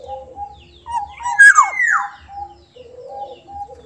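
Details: Black-naped oriole of Sumbawa with a soft voice: one clear fluty whistle that rises briefly and then slides down. Short, low, repeated chirping notes run softly underneath.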